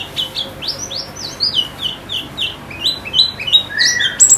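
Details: Fast series of high, clipped chirps from a white-eye, notes sweeping upward and repeated nearly three times a second, with one lower slurred whistle near the end; kept bird.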